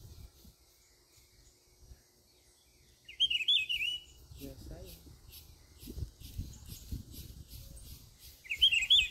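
Rufous-browed peppershrike giving two short, loud whistled phrases about five seconds apart, with people talking quietly nearby.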